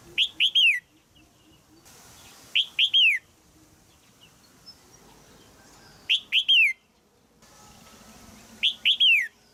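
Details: Female red-whiskered bulbul calling from a cage in Thailand to spur a young male into song: four clusters of two or three bright, falling chirps, spaced roughly every two to three seconds, against low background hiss.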